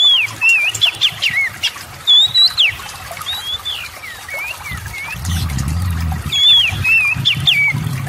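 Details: Lure song of an Oriental magpie-robin, meant to provoke other magpie-robins that rarely sing into singing steadily; bright looping whistles and slurred upward and downward notes in rapid varied phrases, with a low rumbling noise in the second half.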